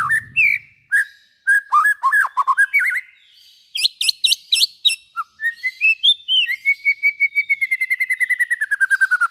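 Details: Song of a white-rumped shama used to stimulate other shamas to sing: clear whistled notes and slurred phrases, a burst of high buzzy notes, then a long rapid series of repeated whistles gradually falling in pitch.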